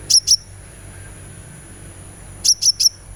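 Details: Sunbird played as a therapy recording to make a caged bird sing: two short high thin chips, a pause, then three more bright high chips, over a faint steady hiss.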